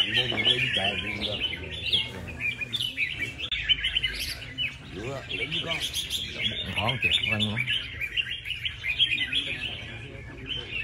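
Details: Red-whiskered bulbul trained for song contests, reportedly never placing outside the prizes, sings an extended stream of sharp chirps and liquid whistled trills, sometimes louder bursts, while a person talks briefly in the background.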